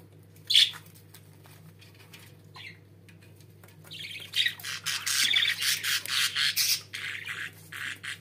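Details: Pet budgerigars warbling indoors; after a sharp chirp and a long pause, a dense run of scratchy, chattering notes builds up and continues steadily to the end, over a low electrical hum.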